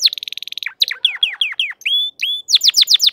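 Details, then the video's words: Crested canary in full form singing: a fast buzzy trill of rapid repeated notes, then a string of downward-sweeping whistles, a couple of drawn-out level whistles, and quick descending chirps to finish. "تغريد كناري متوج (مقنبر) Chant Canari Pleine de Forme"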